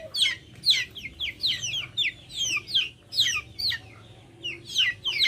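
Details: Rapid, piercing chirps from backyard chickens, each sweeping steeply downward, repeated roughly twice a second in uneven clusters, with a faint low hum behind.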